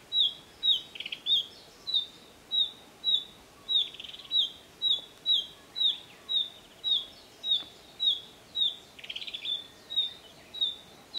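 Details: Female Narcissus flycatcher giving alarm calls: short, high downward-sliding notes repeated steadily, almost two per second, with a few brief buzzy rasps mixed in over faint background hiss.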